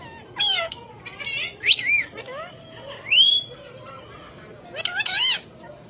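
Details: Talking ring-necked parakeet utters several short, loud, meow-like phrases, rising then falling, separated by pauses, with a thin upward-gliding whistle in the middle.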